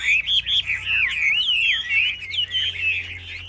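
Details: Chinese hwamei singing during a caged bird contest, a clear, loud chain of bright undulating whistles and rapid trills with almost no background noise.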